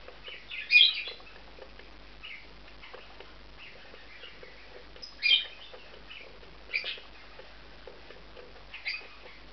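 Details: Two male budgies, a bonded pair, taking a nest within an aviary compound; a few loud sharp chirps at intervals separated by softer scratchy notes and quiet gaps.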